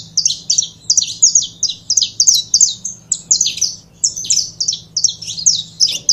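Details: Saffron finch singing: a fast run of sharp, bright chirps, each note dropping steeply in pitch, repeated about two to three times per second with short gaps; steady low hum underneath.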